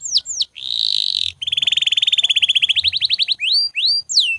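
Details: Canary singing without pause, meant to train other birds: two falling whistles, a harsh buzzy rattle, then a long rapid trill of clipped notes speeding along before rising and falling slurred whistles return.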